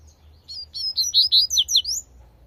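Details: Wild double-collared seedeater singing the tui-tui song: a quick run of about eight clear, high whistled notes, each sliding sharply, loudest in the middle, over a quiet background.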